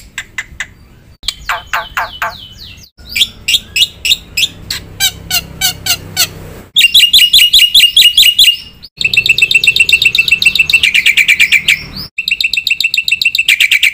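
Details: A black-winged myna in full, vigorous song stuffed with mimicked phrases, its long medley of varied sections repeatedly broken by sudden cuts: sweeping slurs, rapid clicking pips, dense buzzy chatter and ringing trills.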